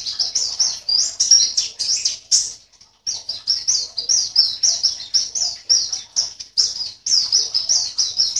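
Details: White-eye kept in a cage in Sambas, West Kalimantan, singing for an online contest: fast strings of sharp, high-pitched chirps and trills, briefly falling silent near three seconds before the busy twittering resumes.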